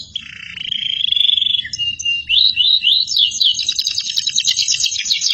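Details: Canary singing for tutoring other birds: a long wavering whistle and lower tone, then upward-swept notes leading into a loud, rapid rattling trill.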